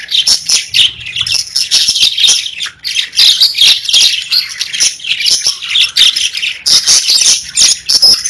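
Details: Several pet parakeets chatter loudly, harsh squawky notes and rapid high chirps coming in pulsing bursts, with a short lull near three seconds.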